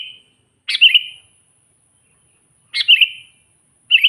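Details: Sooty-headed bulbul calling to provoke wild bulbuls: short liquid phrases with an explosive start and a quick warble, repeated about every two seconds.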